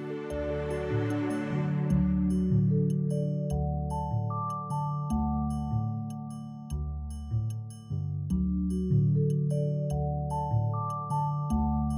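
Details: Gentle mallet-percussion music plays throughout, with layered bell-like tones over a steady low pulse and no animal calls.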